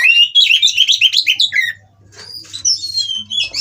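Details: Oriental magpie-robins mating at a captive breeding farm, sounds meant to provoke rival birds into singing: rapid run of varied whistled notes and chirps, about four per second, then a short lull and thinner high twitters, faint low hum throughout.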